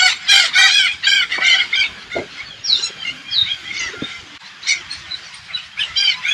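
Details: Flock of hundreds of Alexandrine parakeets on an organic farm in rural Thailand. Loud, raspy screeches rise out of steady flock chatter in irregular bursts, with a few shrill rising notes in between.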